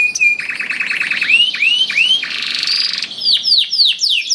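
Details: Canary song meant to spur hesitant canaries to sing: dense buzzy trills and rapid chips, swelling upward whistled slurs, a sustained harsh rattling tone, then a string of quick descending sweeping notes.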